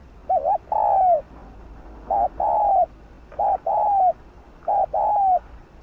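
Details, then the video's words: Decoy spotted dove giving 'thúc gù' cooing meant to prompt other doves to call. Four phrases follow about every one and a half seconds, each a quick wobbly lead-in note and then a drawn-out, mellow, downward-sliding coo. "Chim cu gáy kích bổi nhanh nổi| Cu gáy mồi cây THÚC GÙ,GÙ kích bổi/kích mồi nhanh gáy"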